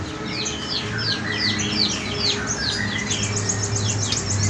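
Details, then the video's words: White-rumped shama singing in the morning: a rapid, varied song of bright whistles and sweeping downslurred notes, almost without pause, over a low steady hum. "Kicauan murai batu di pagi hari"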